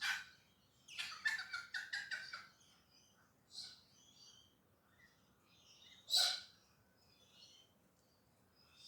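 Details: Galahs, pink parrots, singing in the early morning in urban Perth, Western Australia: a run of harsh, rasping screeches around the second mark, then a single loud broad screech later, with softer short chirps of other birds between.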